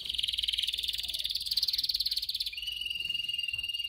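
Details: Canary singing, meant for training canaries: a fast, buzzing high roll that shifts halfway into a steadier, slightly lower rattling trill, continuous and evenly pulsed.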